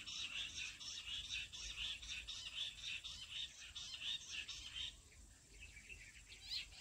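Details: Lure call of jungle bush quail for catching wild birds, heard as a rapid series of high, chattering chirps for about five seconds, then fainter scattered notes.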